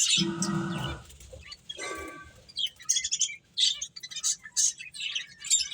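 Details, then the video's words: Playing finches: after a louder, lower harmonic sound and a burst of rustling in the first two seconds, scattered short high chirps come in quick clusters separated by brief gaps. "Beautiful Birds Chirping Sounds | Cute Finches Playing"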